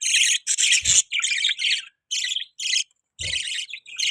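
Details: Budgies making mating sounds in a run of loud, raspy screeches and chatter, each burst under a second long and separated by brief silences, with two low knocks in between.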